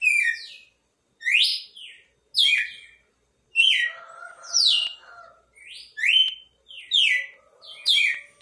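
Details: Singing red-cowled cardinal delivering bright, down-slurred whistled phrases, each about half a second long, separated by brief pauses; a faint lower tonal sound runs beneath the middle phrases.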